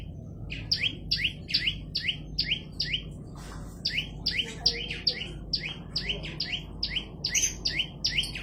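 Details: Steadily singing olive-backed tailorbird repeating sharp high notes that each drop into a lower whistle, in long fast runs of about three per second, broken by a short noisy pause, over faint background hum.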